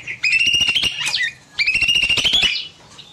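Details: Small bulbul singing in an aviary in the evening, long continuous song: two loud, rapid, buzzy chattering bursts of about a second each with a steady high tone running through, separated by a short pause.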